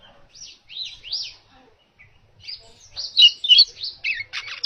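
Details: Baya weaver in clear chattering song used as training audio for other birds: buzzy high phrases sliding up and down, then a louder run of sharp squeaky notes and rasping bursts near the end.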